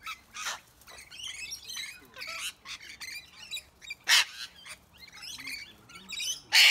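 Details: Rainbow lorikeets harassing much larger birds such as sulphur-crested cockatoos and brushturkeys: soft twittering chatter broken by sudden very loud, rasping screeches, the last one long and piercing.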